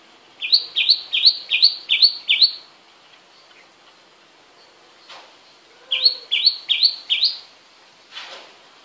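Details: A sparrow is bathing. It gives two runs of bright, clipped chirps, six and then four, with soft broadband rustles between them.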